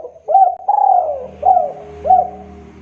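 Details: Short burst from a persistently calling male spotted dove luring others to call: a quick coo, a long gently falling coo, then two brief rounded notes over a faint low hum.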